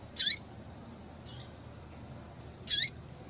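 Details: Female double-collared seedeater calling to excite males so they sing: two loud, abrupt high-pitched chips about two and a half seconds apart, with a faint softer note between them over low background hiss.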